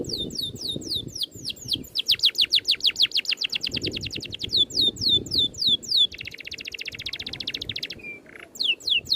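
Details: Oriental magpie-robin tutor recording in tight 'ngerol' style: rapid high downslurred whistles flowing into a long even trill, then a buzzy rattle and a brief harsh note before whistles resume.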